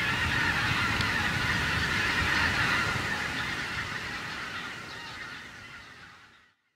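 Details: Wild geese over harvested corn stubble, massed honking from the flock loud at first, then fading steadily away to silence at the end.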